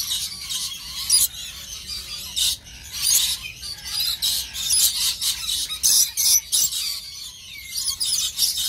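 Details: Lorikeet parrot, said to be in love, chattering with rapid shrill screeches and squeals in uneven bursts, about a dozen loud outbursts separated by short quieter gaps.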